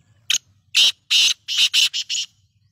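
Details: Black francolin giving a loud, grating call of about seven harsh, rasping notes, short and clipped at first, then a longer grinding note and a quick rhythmic run at the end, in near silence.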